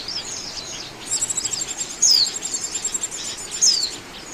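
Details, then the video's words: Oriental white-eye trapping lure, fast soft twitter rising into two crisp downslurred whistles about one and a half seconds apart. "SUARA PIKAT BURUNG PLECI"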